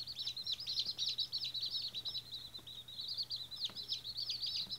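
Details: Day-old White Australorp chickens calling together: a busy chorus of thin, piercing peeps, rising and dropping chirps packed roughly three or four per second, continuous throughout.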